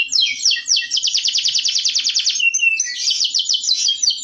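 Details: Local canary singing a masteran therapy song: rapid buzzy trills pulsing high and fast, a long even rattle through the middle, then a brighter twittering run after a brief pause.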